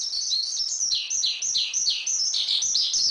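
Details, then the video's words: Javan pied starling singing a master track for training songbirds: loud, high chattering song of quick chirps alternating with drooping whistled slurs, roughly three per second, delivered without pause. "Masteran Suara Jalak Suren"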